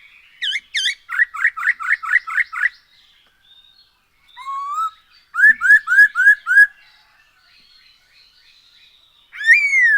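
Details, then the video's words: Black-throated laughingthrush played to encourage birds to sing. Two high notes lead into a fast run of seven clipped whistles, then a rising slur and five loud looping whistles, ending with one bright upswept phrase. "Poksay HONGKONG GACOR SETIAP HARI ‼️Dengan Pancingan ini Bikin Burung Tambah gacor"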